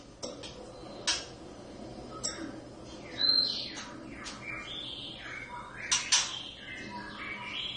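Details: Oriental magpie-robin from a caged pair kept indoors that sings all day: varied whistled and slurred phrases mixed with sharp metallic clicks and clattering knocks, probably from the cage.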